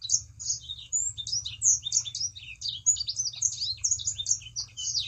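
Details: Sangihe shrike-thrush in continuous, fast, high-pitched warbling full of chirps and downward-slurred squeaks, played as a lure to set other birds of its kind singing, with a faint low hum beneath.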